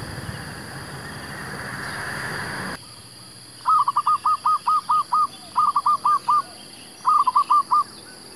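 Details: Zebra dove song used to lure wild doves for trapping: after a stretch of outdoor noise, three bursts of quick, stuttering mid-pitched cooing notes, the first run of about eight notes, then two shorter groups of four.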